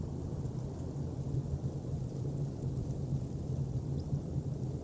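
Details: Continuous low wind-like rumble and background noise, with no animal calls.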